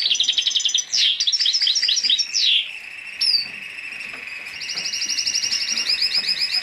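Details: Hybrid of black-headed siskin and canary singing: fast high rattling trills and chattering phrases, a brief pause, then a long even run of rapid repeated high notes.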